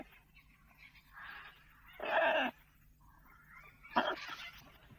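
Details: Indoor pet lorikeet in a kitchen: soft murmuring notes build into two loud, rasping screeches about two seconds apart over a faint background hum.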